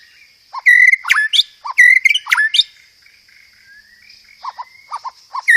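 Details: White-rumped shama (murai batu) delivering loud, sharp chattering bursts of 'roll tembak' song with gereja tarung fill, then a quieter passage of thin slurred whistles and short low notes.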